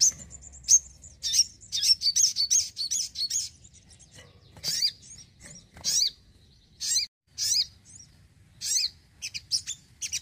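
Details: Sogon singing actively in a house setting, pouring out dense high chattering phrases and buzzy chirps in bursts, with short pauses between groups.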